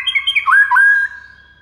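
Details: White-rumped shama song used as a training recording to make other shamas respond: a few quick chirps lead into a rich, sustained warbled whistle that dips, rises and then fades away.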